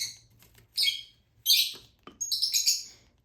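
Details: Hand-fed lutino Fischer's lovebird chick begging: three loud, rasping, high-pitched bursts, the last broken into quick pulsing notes, separated by short quiet pauses.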